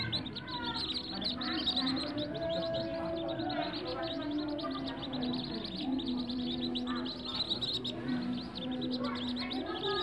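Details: Captive-bred whistling duck ducklings keep up a dense, overlapping chorus of high, thin peeps and chirps, with some lower tonal notes and faint voices underneath.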